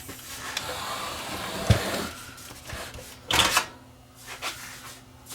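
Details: Indoor knocks and clatter with a short loud rattle midway and a low steady hum, with no animal sound.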